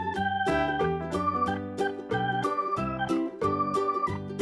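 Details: Bouncy electronic organ tune with rhythmic chords, ending in a sharp burst, and no animal voice.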